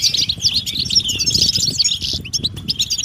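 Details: Goldfinch mating calls that stimulate males to sing: a burst of fast, sharp chirps and tinkling trills packed densely together, with faint low rustling below.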